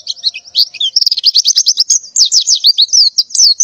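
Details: Morning mating calls of a breeding-condition female white-eye: continuous rapid high twittering of slurred chirps packed closely together, with no pauses.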